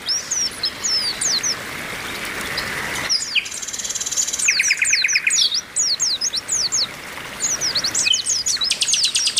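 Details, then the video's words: Female Oriental white-eye calling to rouse males, giving quick high down-slurred chirps in clusters, with a lower rattle and a long buzzy trill near the end. "TERAPI PLECI OMBYOKAN BIKIN CEPAT GACOR"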